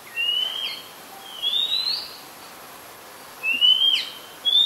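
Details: ['Oriental magpie-robin singing in Ubon Ratchathani, Thailand, 2 July 2022; a very common resident. Long, pure, slightly rising whistles with brief flourishes, spaced about one and a half seconds apart, over quiet background hiss.']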